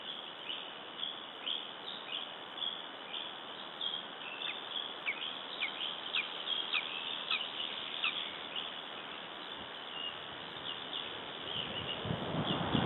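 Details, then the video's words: Lesser spotted eagle in Latvia, recorded on 26 June 2012: a run of short, high, downslurred yelping notes, about two per second, half-buried in steady hiss, thinning out after eight seconds before a low rumble at the end. "Latvian LSE - June 26 - 2012 - Miks calls"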